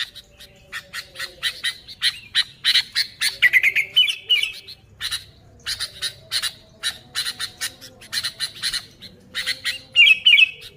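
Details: Sooty-headed bulbul song described as lively and unmixed with other birds' phrases: rapid harsh chattering bursts repeated about three times a second, broken by short bright whistled trills, with a low steady hum beneath.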